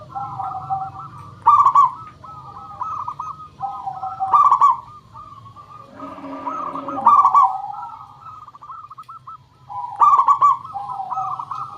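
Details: Local zebra dove cooing, used as a lure to make other doves sing: bubbly, rolling coo phrases at mid pitch, with a louder burst every two to three seconds and overlapping softer coos. A low hum runs underneath.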